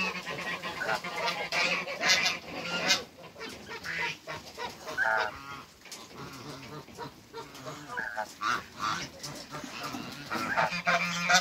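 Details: African geese, a couple being met on a waterbird farm, honking in a busy overlapping chorus of nasal calls with other calls mixed in throughout.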